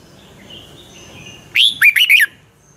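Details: Pala-u red-whiskered bulbul from Thailand in 'double' song style: a faint wavering note first, then a loud phrase of one rising whistle and three rolling warbled notes.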